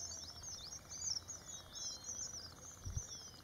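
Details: Red avadavats (red munias, strawberry finches) preening in the morning give a steady stream of thin, high twittering chirps, several birds overlapping, over a faint low rumble; finding: Red avadavat.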